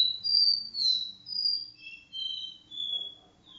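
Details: Indoors in a living room, a copper seedeater sings do-re-mi vibrasom song: loud, pure whistled notes, some sliding downward, linked in a flowing sequence of roughly two notes per second.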